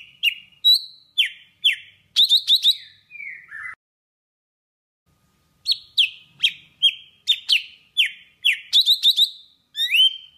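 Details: Golden-fronted leafbird from Vietnam, a lure song used for trapping birds: sharp whistled and slurred notes at shifting pitches in quick bursts, a silent gap of about two seconds, then a second rapid series ending in an upslurred whistle.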